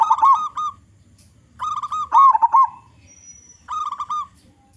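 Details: Zebra dove of local stock, with a big voice favoured by other zebra doves: burry, trilling coo phrases repeated in clusters, one louder rolling phrase in the middle, faint low rumble beneath.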